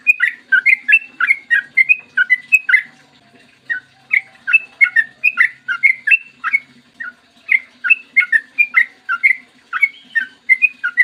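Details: Energetic 'ropel panjang' song of a yellow-vented bulbul, a clear morning recording used to lure others into singing: dense rapid bursts of gurgling whistled notes with a brief lull around three to four seconds, faint hum behind.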